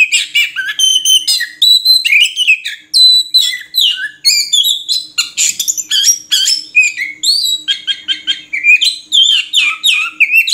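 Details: Oriental magpie-robin delivering a long, varied song of loud whistled slurs, short chattering notes and quick trills, phrases following each other almost without pause, very clean with no other sounds.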